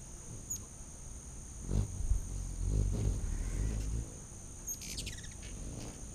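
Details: Feeding frenzy of hummingbirds on a back deck, late August 2019, with a loud low droning wing hum for about two seconds, then a fast twittering string of high chips, and a steady insect drone.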